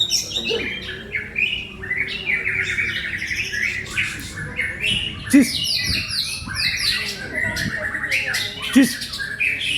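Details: White-rumped shama singing rapid trilled and rattling phrases with clear whistles, the song flowing almost without pause, punctuated by a couple of sharp clicks.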